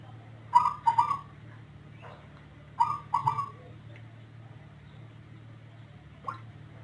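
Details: Zebra dove of the Rondosemoyo type, known for an odd voice and long, frequent calling, repeats a three-note coo phrase twice about two seconds apart, with a soft low hum behind.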